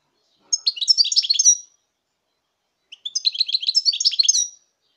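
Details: Two phrases of European goldfinch song, recorded in 2019, each about a second long: quick, high, tinkling twitters with a chip leading into the second, separated by silence.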